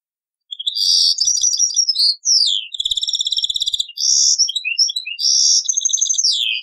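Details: Old-cassette recording of a European goldfinch singing taqsrayn-style song: descending slurs, crisp chattering trills, dense buzzy bursts and tinkling notes, ending in a falling slur.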